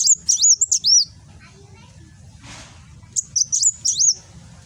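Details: Kolibri wulung sunbird from Gresik, East Java, delivering its rapid nembak song on an Android phone recording: two bursts of piercing, looping whistled chirps roughly three seconds apart, quiet between, low background rumble.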